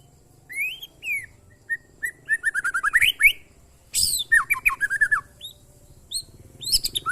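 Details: Short Oriental magpie-robin training song: upslurred whistles, then a fast series of repeated descending notes, a harsh burst and more varied whistled phrases, with low hum beneath.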